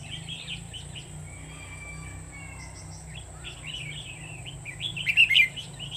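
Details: Red-whiskered Bulbul singing during bird trapping with a decoy on 1 October 2019: a run of short whistled, warbling phrases, louder and busier near the end, with steady low rumble and a faint high hiss behind.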